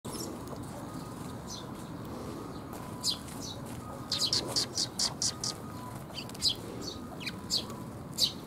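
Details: Eurasian tree sparrow fledglings being fed by their parents on 6 May 2021: short, high chirps scattered at first, then a quick run of about seven evenly spaced calls, over a steady low hum.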